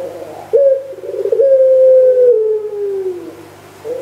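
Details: Barbary dove, pelung type, giving one long sustained coo that holds level and then glides gently downward before fading, another coo beginning at the end, over a constant low electrical hum.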